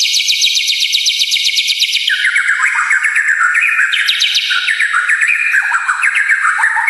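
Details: White-rumped shama song used as provoking training material: continuous loud rapid trills of fast repeated notes, the phrases stepping gradually lower in pitch across the stretch without pause.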